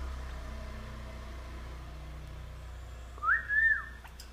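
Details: Sri Lankan talking myna gives two clear whistles, a quick rising note and then a longer slurred one, over a steady low hum.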